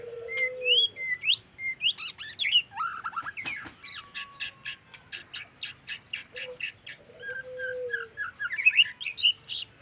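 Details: White-rumped shama in trotol song full of isian: opening whistles and twisting phrases, then a long fast series of evenly repeated sharp notes, ending in a burst of high chatter, with quiet background.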